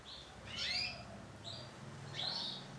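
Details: Isabel canary hen calling: three short high chirpy bursts, the first and last longer with quick rising and falling slurs, separated by about a second of quiet room hum.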